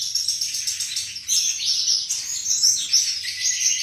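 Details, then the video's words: Short burst of beautiful flycatcher song: a steady wash of high buzzy twitter with sparkling whistled notes laid over it, growing louder after the first second. "Burung Sikatan Bersuara Merdu dan indah"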